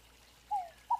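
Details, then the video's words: White-necked thrush (sabiá-coleira) singing in Arapongas, Paraná, Brazil: two clear, fluted whistles, the first gliding slightly downward, the second short and steady, in a quiet background. "MELHOR CANTO SABIÁ COLEIRA FLAUTEADO"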